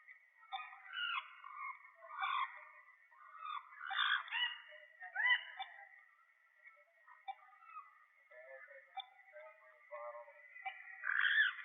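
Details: Endemic, endangered Puerto Rican parrot being fitted with a tracking transmitter. It gives harsh squawking calls that rise and fall in arches, in bursts every second or two, over a steady high hum.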